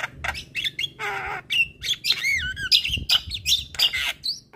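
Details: Javan myna in full song: a grating rasp, then looping whistled slurs and squeaky chatter delivered in rapid bursts.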